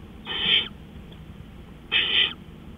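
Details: At 3:15 AM on April 20, 2013, an owl gives two rasping, breathy screeches about 1.5 seconds apart, each swelling and lasting roughly half a second, over a low background hum.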